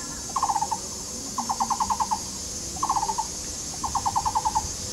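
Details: Courting Taiwan barbets duet near their tree-hole nest in a nature park at Yixuekeng, Taishan, Taipei County. Four quick bursts of hollow, wood-block-like 'kuo' notes, six to eight per burst, roughly one burst each second over steady hiss.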